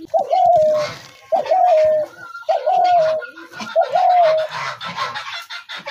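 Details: Spotted dove calls: four repeated phrases of a short note running into a level drawn-out coo, each about a second apart, over a noisy background with a faint steady tone.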